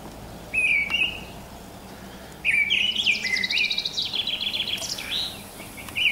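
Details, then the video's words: Morning song of a mistle thrush, recorded in spring 2010: a short whistled note, a pause, then a longer rich fluty phrase of rapid slurred notes that rise and fall, followed by another whistle. "Misteldrossel mit Gesang"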